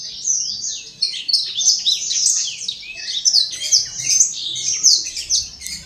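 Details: Imported black-throated canary singing in Legian Kelod, Kuta, Bali: a fast, continuous warble of bright high twittering notes and short buzzy trills, delivered without pause throughout, with no other clear sounds.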